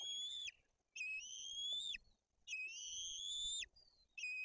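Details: A feeding at a white-tailed eagle nest in Poland's Tuchola Forest, with two chicks and fish brought in, the older chick aggressive. Long, level, whistled cries of about a second each repeat roughly every one and a half seconds.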